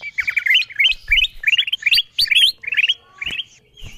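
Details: Lure call of a bulbul for attracting wild birds, made of quick clusters of bright, rising chirps repeated about three times a second, with a few louder, higher notes in the middle and soft thumps below.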